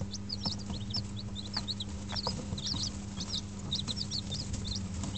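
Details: A brooder of Dutch bantam and Barbu d'Anvers chicks, five days old, warmed by an electric hen: many high, thin down-slurred peeps overlap continuously over a constant low electrical hum.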